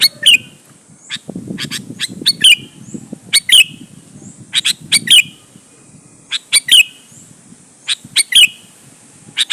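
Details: Sooty-headed bulbul in full, energetic song as a challenge lure for other bulbuls. Irregular runs of crisp chips mix with short looping whistles, while soft low murmuring noise sits underneath.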